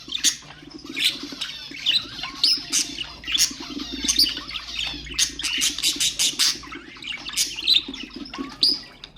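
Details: Budgerigar chatter meant to encourage other birds to sing: a continuous warbled chatter of squeaks, clicks and trills, with a low steady hum underneath.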